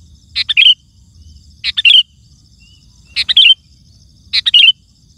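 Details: Sooty-headed bulbul in full, loud song, played to call wild birds and set other bulbuls singing; four chattering, slurred whistle phrases, each a rapid cluster ending in a bright twist, spaced roughly a second apart.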